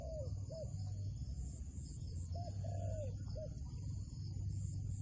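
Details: Wild dove calling near a trap: a pair of short rising-falling coos, then another pair ending in a long sliding coo. A deep rumble and a faint constant high whine sit in the background.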